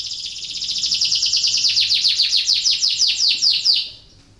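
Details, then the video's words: Breeding-condition canary song meant to stimulate other canaries to sing: one continuous, rapid, high-pitched rolling trill of evenly repeated notes lasting about four seconds, then stopping abruptly. "PANCINGAN KENARI BIRAHI , AMPUH MERANGSANG KENARI IKUT BUNYI || MASTERAN KENARI"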